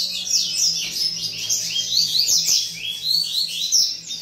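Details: Captive coleiro pouring out a dense, high-pitched song of quick rising and falling whistled slurs, delivered without break, over a quiet low hum.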